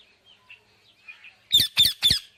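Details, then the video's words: Indian ringneck parakeet, with low chattering chirps followed by three loud, coarse screeches evenly spaced about a third of a second apart. "Amazing Parrot Chirping Sounds"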